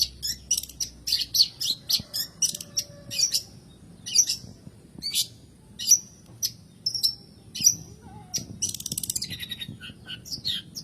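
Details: Song of the long-tailed shrike, locally cendet or pentet, meant to coax silent caged birds into singing: sharp high chips roughly every half second, then a rapid buzzy trill near the end.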